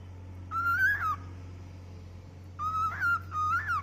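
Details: A happy 10-year-old pet cockatiel gives clear, slightly wavering whistled notes in two bursts over a steady low hum.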